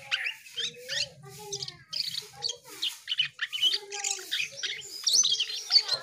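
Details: Energetic Asian pied starling song, a rapid mix of scratchy chirps, clicks and short whistles, with lower fluting notes woven through and a steady faint low hum in the background.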